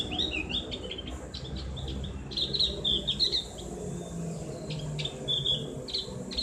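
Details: Javan grey-throated white-eye (cak gentong), ngriwik song with a ngeplong voice meant as therapy. High chattering whistles come in quick clusters, with a louder run of trills near the middle and low droning behind.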